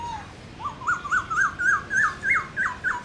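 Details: Black-throated laughingthrush (Garrulax chinensis) giving morning wild-style competitive song: about ten clear, slurred rising-falling whistles climbing slightly in pitch over three seconds; used to stimulate captive laughingthrushes to sing.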